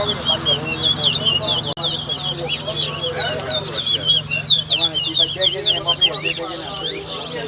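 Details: Lesser seed finch (towa towa) in a bird whistling competition at a bird ground on the West Side, Guyana: rapid sweeping whistled notes, high and continuous, with people talking and a low steady hum beneath.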